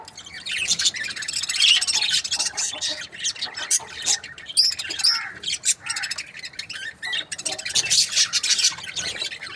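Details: Chattering budgerigar breeding pairs, a busy overlapping mix of high squeaky chirps, warbles and short whistles that rises and falls without pause.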